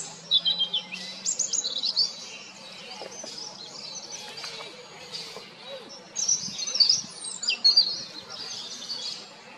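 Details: European robin (Erithacus rubecula) singing two high, tinkling phrases of quick, varied warbled notes, each about two seconds long and separated by a pause, over faint background hiss.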